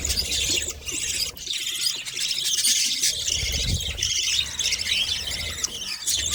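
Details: Budgie babies fed by their mother keep up a steady, harsh, high-pitched wheezing chatter, with faint low rumbling underneath.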